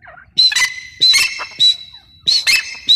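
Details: Female grey francolin (teetar) calling: loud, harsh, grating notes in short bursts of two or three, separated by brief pauses, with a high ringing edge to each note.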